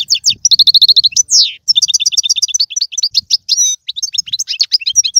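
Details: European goldfinch song, played to make a pet goldfinch sing: loud, rapid high twittering with evenly repeated trill notes, buzzy slurs and sparkling chirps in a nearly continuous stream.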